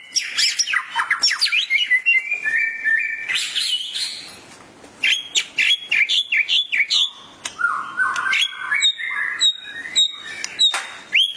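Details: White-rumped shama singing excitedly in gacor emosi style to a training recording; flurries of crisp clicks and sharp chips mixed with fluty slurred whistles, a quieter stretch in the middle, then renewed vigorous bursts.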